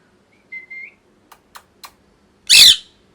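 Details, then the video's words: Pet parrot in molt makes a short, slightly rising whistled note, a few soft clicking sounds, then one loud, rasping squawk. "Parrot Chirping Sounds | Natural Parrot Sounds | Parrot Calling Sounds"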